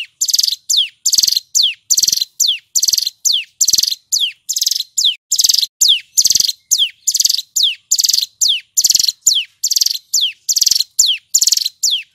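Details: A male Hill prinia sings vigorously for a long stretch, loud and clear, in 'ngebren' bursts: pairs of a falling whistled slur and a grating multi-pulse buzz repeat steadily, around thirty phrases with no pause.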